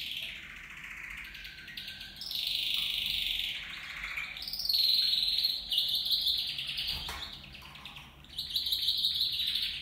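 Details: Copper mosaic canaries, two males and two females kept in a flight cage, singing continuous high, rolling trills and warbled phrases, with loud bursts in several rising and falling strophes over nearly ten seconds.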